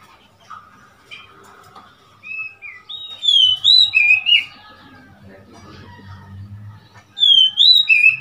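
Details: Oriental magpie-robin recorded on 3 March 2021, singing clear high whistled notes that slide up and down, in short runs, with a low rumbling background and faint other sounds.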